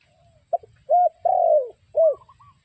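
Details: Spotted dove calling as a trapping lure: a clipped note, then a medium coo and a long falling drawn coo, followed by another coo and faint higher whistled notes.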